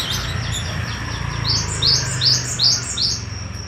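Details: Rolling song of a Java sparrow from Madiun: bright high notes, each slurring downward, repeated in a steady rapid series, louder toward the end, against faint low background hum.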